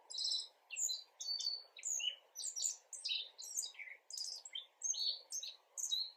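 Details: Black-faced bunting (Emberiza spodocephala) recorded 10 April 2022, giving subsong so accomplished it is nearly full song: a rambling, quiet run of high chirps, ticks and short twittered phrases, varied and unpatterned, over a low steady hum.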